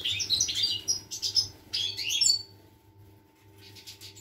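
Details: Song of a European goldfinch, dated 25 August 2021: a lively run of tinkling, twittering notes and quick slurred trills for over two seconds, then near silence with a faint low hum and distant chatter.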